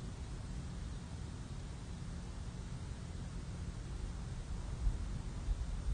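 Only a low, even hum with soft hiss and a few faint thumps near the end; no animal voices.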